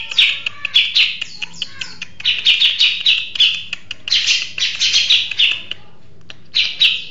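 A grey-cheeked bulbul sings a lively, chattering song of rapid bright notes in quick bursts, pausing briefly between phrases; a faint low hum runs underneath.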